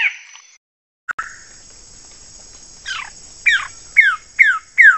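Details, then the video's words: Wilson's bird-of-paradise calling: a series of downward-slurred notes that grow louder and come about every half second. A steady high-pitched whine runs in the background. "SUARA CENDRAWASIH KEPALA BOTAK"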